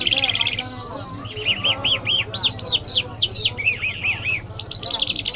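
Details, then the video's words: Iranian lark (jal), described as mashhadi mast, repeating sets of arched whistled notes in quick runs of four or five, mixed with a long high whistle and rattling trills, over a continuous low hum. "Jal Birds Iranians Lark Sounds"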